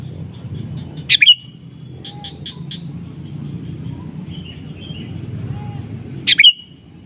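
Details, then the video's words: Lure calls of a sooty-headed bulbul answered by a rival: two loud, sharp chirpy bursts about five seconds apart, with soft short notes and faint quiet whistles between them, against a low rumble. "Kicauan KUTILANG SUARA ASLI bernada panggilan pancingan memanggil lawan bersautan"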